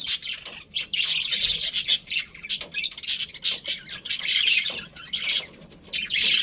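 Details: Steady chorus of budgerigars in a breeding colony: high, grating chirps and squeaky warbling notes repeated in quick pulses, many birds calling at once without real gaps.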